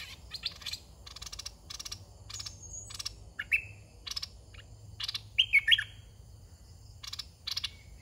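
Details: Caged red-whiskered bulbul used as a decoy to lure young wild birds. Short, bright warbled phrases come now and then between loud, rapid, rattling pulsed bursts that repeat throughout.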